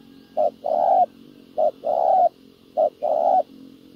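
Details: Decoy spotted dove cooing on the ground to draw in wild doves during trapping: three deep two-part phrases, a brief clipped note then a drawn-out smooth coo, roughly one phrase each second, over a soft low background hum.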